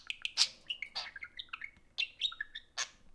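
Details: Two pet budgerigars socializing over an iPhone. A dense run of warbled chirps and short whistled notes climbs and dips with quick clicks between them, and the chattering barely pauses.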